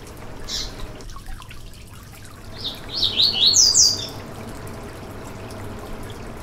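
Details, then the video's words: Yellow-bellied seedeater song, played to stimulate another seedeater to sing: a few faint high chips, then a quick string of high whistled sweeping notes, roughly a second long, then steady background hiss. "Canto para foguear e esquentar seu COLEIRO BAIANO - 2022 - Piado e Canto"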